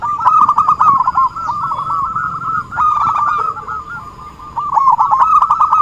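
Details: Actively singing zebra dove, played to lure birds for trapping: continuous rolling strings of short coos, louder at the start and end, softer and sparser in the middle.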